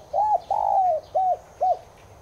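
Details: Spotted dove of subspecies tigrina, a recording played to make caged doves coo along: four clear arched coos, a short note, a longer drawn-out falling note, then two brief rounded notes, with faint high chirps behind.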